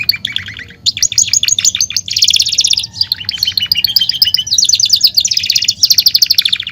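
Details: Continuous Belgian canary song, a dense stream of fast high trills and rolling buzzy phrases with short whistled notes, barely pausing throughout.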